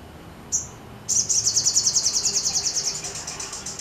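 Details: An Olive-backed Sunbird sings while spreading its wings: one thin high note, then a fast, shrill, metallic trill of many rapid notes that slowly fades, over faint background hiss.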